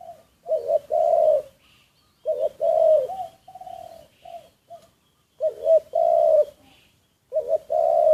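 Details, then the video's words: Secretly recorded decoy spotted dove: repeated cooing phrases, each opening with a quick double note and swelling into a long mellow coo, spaced about two seconds apart with quieter short coos between. "แอบอัดเสียงนกเขาใหญ่ นกต่อ"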